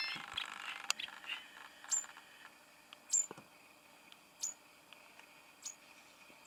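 Yellow-crowned Bishop giving thin, very high, sharp chips, one roughly every second and a quarter, over a soft background hiss with some rustling at the start.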